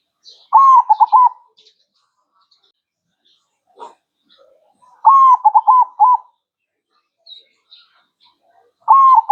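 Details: Zebra dove, kept in Indonesia's songbird tradition, singing: short phrases of low, rolling coos broken into quick bouncing notes, repeated about every four seconds, with faint chirps between phrases.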